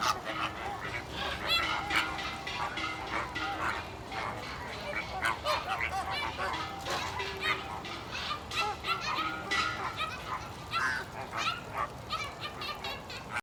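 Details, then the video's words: Flamingos kept at Stone Zoo, Massachusetts, make a continuous chorus of overlapping nasal honks and gabbling calls from many birds, dense and busy throughout with no pauses. "Funny Sounds of Colorful Flamingos"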